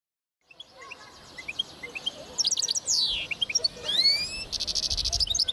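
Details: Linnet hybrid (linnet mule) from 2010 twitters rapidly: high chirps, quick trills, rising whistled slurs and a dry buzzy rattle near the end, in a fast, varied finch-like stream.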